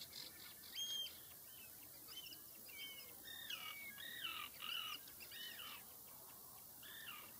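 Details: Common sandpiper calling: a series of thin, high whistled notes, some sharply rising or falling, repeated in loose groups of two or three through the clip, over a steady faint hiss.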